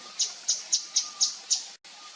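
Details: Javan fulvetta calling in the wild in Java's highland forest; six evenly spaced high, sharp tsip notes, roughly four per second, then a brief cut in the recording.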